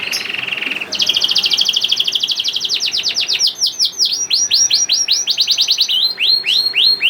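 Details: Young canary song used as a prompt for canaries that rarely sing: an opening buzzy roll, then a long, lively tour of rapid upswept notes that gradually slow and widen.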